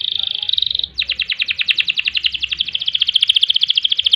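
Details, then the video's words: Vigorous rolling canary song used to tutor and provoke other birds: a brief steady tone, then a long, rapid, even trill of repeated notes. "Kenari Gacor Panjang Ngerek Ngerol Nembak Mantap Buat Masteran dan Pancingan | Bird Singing"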